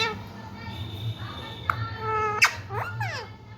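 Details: Green Indian ringneck parakeet kept as a pet, imitating human words such as "I love you"; nasal, harmonic speech-like phrases with gliding pitch and a couple of sharp clicks over a low background hum.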